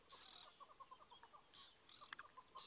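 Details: Dark Chanting Goshawk at sunrise on 5 May 2017 in Djuma Game Reserve, a rare sighting, calling from a tree edge as drongos mob it; gives a quick series of short mid-pitched piping notes, about five per second, under higher hissing chatter from other birds.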